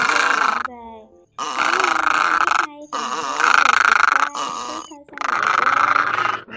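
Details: Egret calls played at night as a lure to draw migrating birds into nets: harsh, croaking bursts rich in harmonics, given in four long grunting runs broken by short pauses.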